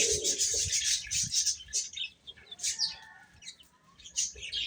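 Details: Young chicks at their food, keeping up a busy chorus of thin, piercing peeps in quick irregular runs, some louder bursts early on, with faint low thuds and shuffling underneath.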